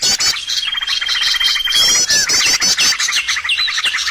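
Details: Bird lure sound for trapping: a long steady high whistle runs under busy chirping and rapid twittering, then a short downward slurred note, followed by repeated squeaky chirps.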